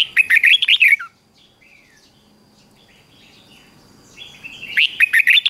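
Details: Bright warbling of a red-whiskered bulbul, used to get weak bulbuls singing: a lively second-long run of whistled notes, a quieter stretch with soft distant chirps, then another rapid whistled phrase.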